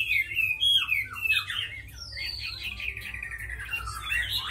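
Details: Tame Chinese hwamei with a reputation for fighting and fine singing, uttering a few bright whistled notes, then a long fluttering trill that drops in pitch and rises again at the close.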